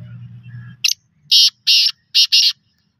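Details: Black francolin, called desi kala titar, giving a loud, harsh, grating call: a short first note, two longer buzzy bursts, then a quick pair, with a low hum before the call begins.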